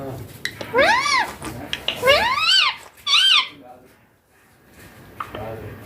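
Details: Young green Indian ringneck parakeet talking: three loud, arching, chattering phrases in quick succession, then near silence with a few soft noises.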